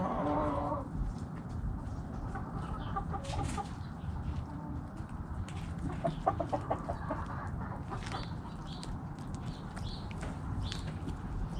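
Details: Backyard chickens, several hens giving a drawn-out cackle at the start, then scattered short clucks and soft chatter against steady low background noise.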